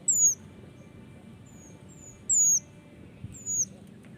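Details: Male mountain leaf warbler: sparse, very high, thin whistled notes, each sliding downward, spaced a second or more apart above steady low background noise.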